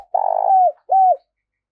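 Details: Decoy spotted dove calling to draw in wild doves: a long pulsing, vibrating coo that eases downward into a smooth tail, followed after a brief pause by one rounded, arched coo. No other sounds.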